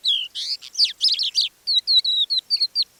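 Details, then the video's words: Crested Lark at Manych, Russia, in April, softly delivering its extended mimicking repertoire, captured with a parabolic dish: a dense tumble of buzzy, twittering notes followed by a series of clear, evenly spaced whistled chirps. "Наконец, хохлатый жаворонок не выдержал и вполголоса выдал свой расширенный репертуар."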